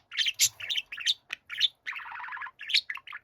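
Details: Budgerigar song from a young caged bird wanting its older companion to listen: rapid chattering warble with bright squeaks, a sustained buzzy rasping phrase in the middle, then more chirps.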